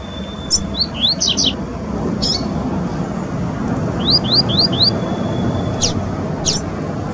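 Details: Double-collared seedeater in the wild in Brazil giving short series of rising high whistles and buzzy notes, two phrases of about four slurs, over fairly loud low rumbling background noise.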